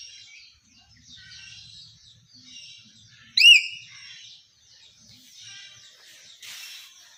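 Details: Common hill myna relaxing in a garden. Soft high twittering chirps run throughout, and midway one loud, sharp, upward-sweeping note stands out. A brief noisy burst comes near the end.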